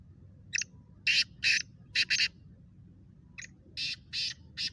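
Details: Black francolin (kala teetar) in a calling contest: harsh, buzzy, grating notes in quick clusters of two or three, separated by short pauses, over a faint low rumble.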